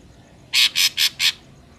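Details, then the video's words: Ashy drongo recorded in nature as a lure for trapping: four loud, harsh rasping notes in quick even succession, with a quiet background. "SUARA BURUNG SRIGUNTING ABU ASLI SUARA ALAM"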